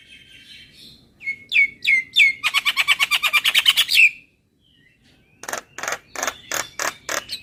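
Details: Javan myna song used as a therapy recording for kept birds: slurred rising whistles leading into a fast buzzy rattling trill, a short silence, then evenly spaced harsh chattering notes.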